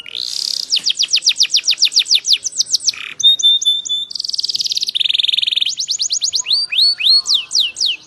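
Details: Training song of a canary for encouraging captive birds to sing: varied rapid tours of repeated whistled syllables, including buzzy rolls, flat trills and sweeping notes, delivered without a break.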